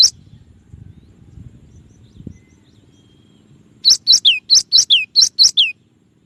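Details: Varied song of a Cinereous tit for bird-song training: after a near-silent stretch with soft low rumble, a burst of about nine high chip-and-downslur notes repeats rapidly and stops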